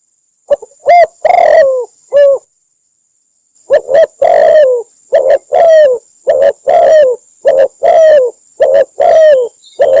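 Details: Cambodian spotted dove call played as a trapping lure: deep cooing notes, some ending in a drawn-out falling croon, grouped in phrases after an opening pair of phrases and a pause. A faint high electronic whine runs beneath.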